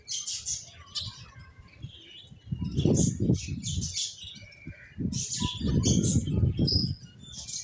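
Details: Finches chirp rapidly in high, squeaky tweets, many birds at once, while strong low fluttering and thumping comes in two louder spells.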